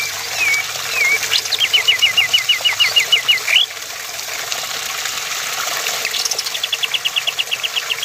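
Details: A male sooty-headed bulbul sings two short slurred whistles, then a fast run of about a dozen bright, even notes, with a second run following after a pause.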